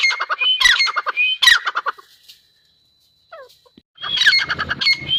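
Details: Grey francolin (teetar) giving loud, harsh squawking bursts laced with rising whistled notes for about two seconds, then near silence with a few faint notes, before another vigorous burst of grating, whistled calls.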